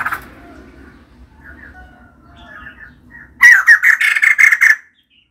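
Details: Female white-crested laughingthrush in full song: a long stretch of faint, soft, scattered notes, then a sudden burst of about eight loud, harsh notes in quick succession.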